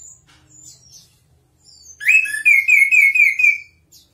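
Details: Anis kembang, the chestnut-capped thrush, delivering a song for tutoring: faint high chirps, then a loud sustained warbled whistle wavering at one pitch for nearly two seconds with higher overtones.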